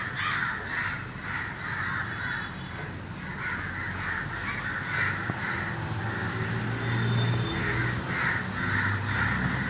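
Crows give repeated harsh caws, roughly two a second, over a steady low rumble like wind or traffic.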